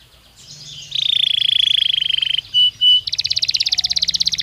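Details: Belgian canary song used to stimulate singing: a steady rapid buzzy trill, two short pure whistled notes, then a louder fast rattling trill.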